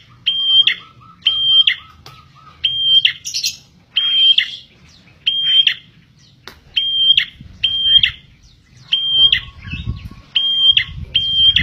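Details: Prenjak, or bar-winged prinia, song used for luring birds: about a dozen quick phrases of a piercing level whistle ending in a rasping flick, delivered in a steady run, with a faint low rumble near the end.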